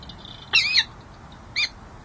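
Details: Peregrine falcon pair in winter courtship at a San Jose City Hall nest site, 13 January 2024: two brief harsh squawks, the first longer and slurred, the second short, over quiet background.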